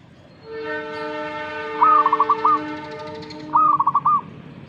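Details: Zebra dove reacting to a master recording gives two stuttering coo phrases, a short rolled burst of pulses each time, over a steady droning hum.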